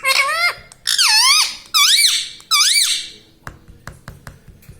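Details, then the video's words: Pet parrot vocalizing indoors: four loud, harsh squawks with wavering up-and-down pitch, each under a second long, followed by soft clicks and taps. "Parrot talking everything || mummy mithu bolta hai"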